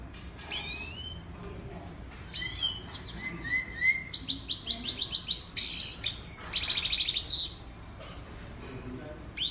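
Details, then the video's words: A European goldfinch sings a quick, bright medley of tinkling twitters, rapid trills and high liquid notes, broken by short pauses. "European Lady Goldfinch or Saira Bird Singing"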